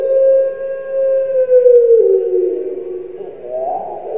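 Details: A captive Barbary dove (Streptopelia risoria), the puter pelung kept in Java, Indonesia, gives a long, drawn-out hollow coo that holds steady and then sags lower, ending in a rougher, wavering tail.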